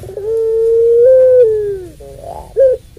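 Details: Puter pelung dove, a long-voiced dove kept to provoke and tutor other doves, giving a long steady hollow coo that slides slightly down, then a short rising hoot and a brief final coo.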